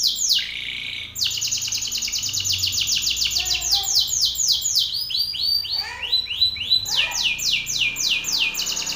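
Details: Fierce Belgian canary singing forcefully at an opposing male: a long, nearly unbroken stream of rapid high trills, about three to four notes per second, with a brief pause early on and changing tour pitch throughout.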